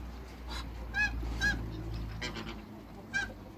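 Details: Backyard pair of African geese, with other waterbirds nearby: a few short, clear trumpeting honks, each sharply rising then dropping, separated by brief pauses over a faint low rumble.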